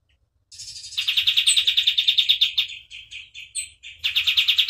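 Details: Vigorous white-eye song kept for tutoring: a high buzzy opening leads into fast, rhythmic chipping, which slows to scattered notes and then resumes at a rapid pace.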